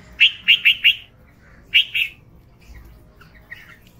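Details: Red-vented bulbul with a quick series of four sharp, evenly spaced chirps, a short pause, then two more, followed by quieter chatter.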